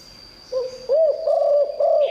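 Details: Spotted dove in 'Liu Tan' song, good-voiced and used to call in wild birds. Short burst of three or four smooth, looping low coos over a thin, constant high tone.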